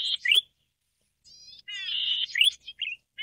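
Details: A Golden-headed Cisticola (Cisticola exilis volitans) sings a high, wheezy buzz run together with quick, liquid upslurred notes in short bursts, with nothing else in the background.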